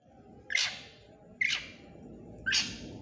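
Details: Black drongo singing, three sharp, harsh downslurred notes spaced about a second apart, each a brief buzzy burst.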